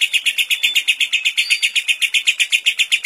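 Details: Long ngekek from a lovebird filled with kapas tembak song, used as tutor material for other lovebirds: a steady, high, harsh chatter of evenly spaced notes, roughly four each second, with no pause.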